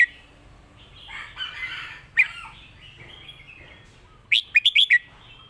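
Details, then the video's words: Red-whiskered bulbul master song for competition songbirds, Thailand: soft warbled chattering phrases, a sharp note, then a burst of four loud, clear, rapid whistled notes near the end. "เพลงแม่บท นกแข่ง#เสียงนกกรงหัวจุก"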